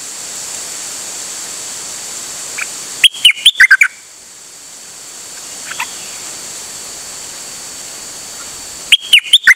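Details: Singing steadily on 8 September 2023, a dok taeng bird repeats a fast phrase of loud whistled notes, heard twice about six seconds apart with a faint chirp between, over a constant background hiss.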